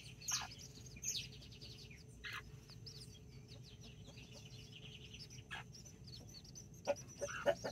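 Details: Backyard chicks with their mother hens in Colombia, 24 October 2024, nine chicks (four mini, five Brahma) and two hens, a rooster checking on them; scattered high thin peeps and a few soft clucks over a steady low hum.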